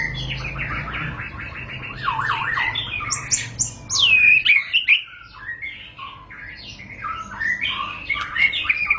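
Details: Murai batu (white-rumped shama) singing to provoke other shamas: dense, scratchy chattering notes, a brief pause, then loud, high, twisting whistles and mixed warbles.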